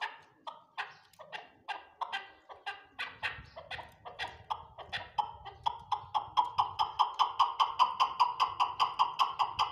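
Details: Chukar partridges kept on a farm, chuckling call: spaced single notes at first, then speeding into an even, rhythmic rattle of sharp chuk syllables, growing louder toward the end, with a faint low hum behind.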